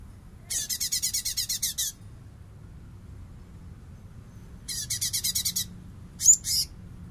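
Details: Light-vented bulbul (cungkok) in full bessetan style, used as a master recording for training songbirds: two harsh, buzzy chattering trills of rapid pulses, about eight per second, then a short squeaky burst, over faint low hum.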